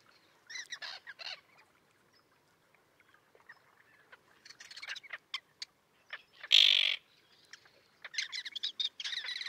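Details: Sparse grating notes and clicks from common terns, then one loud harsh screech and a closing flurry of chattering calls; small breeding colony with young on a concrete slab in the sea near Liepāja, Latvia, June 2024.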